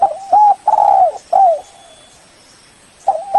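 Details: A spotted dove gives its lure call to draw in a rival: a series of loud, rounded coos with one long drawn note, a pause of over a second of quiet, then the phrase begins again.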